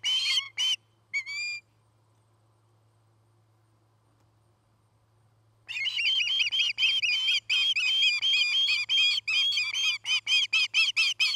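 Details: Osprey calling at a nest in Charlo, Montana, recorded on a nest camera in the early afternoon of 9 August 2018: a few whistled chirps, four seconds of quiet, then a long fast, excited series of repeated chirps.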